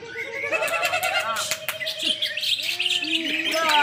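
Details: Greater green leafbird singing vigorously: a long steady whistled note, then looping, slurred whistles and rising warbles in varied phrases.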